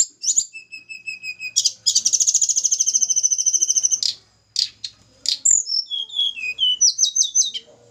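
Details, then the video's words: Snowy-browed flycatcher from Java, during pairing of birds kept together: thin high whistled notes, then a rapid buzzy trill held about two seconds, followed by sharp chips and a run of descending slurred whistles. "penjodohan tledekan gunung jawa. tempel satu mingu lagsung jodoh. si kecil cabe rawit bersuara merdu"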